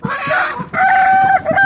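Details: An ornamental Ayam Ketawa (laughing chicken) rooster, crowing before dawn about 30–60 minutes ahead of the Subuh call to prayer, gives a loud, tonal crow broken into stuttering, chuckling segments.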